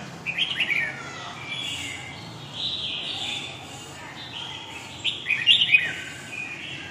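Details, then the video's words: Red-whiskered bulbul in a long-phrase Huế singing style: short, clear whistled phrases with falling and rising slurred notes, separated by pauses, over steady low background noise. "huế giọng dài"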